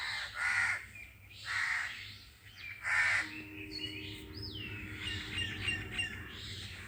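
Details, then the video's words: Crows give three harsh caws about a second apart, then other birds take over with high whistled and chirping notes and a low steady hum. "The crows are making a sound and the birds are silent on hearing the crows."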